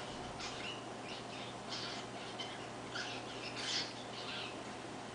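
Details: A young crested society finch (White-rumped munia), about 1.5 months old, practises its song with soft, scratchy, buzzy notes in irregular high bursts, over a steady low hum.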